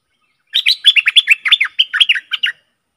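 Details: Decoy recording of a Stripe-throated bulbul for luring aggressive wild birds: one continuous two-second burst of rapid, liquid, warbling notes, about a dozen tightly packed syllables, with no other sounds.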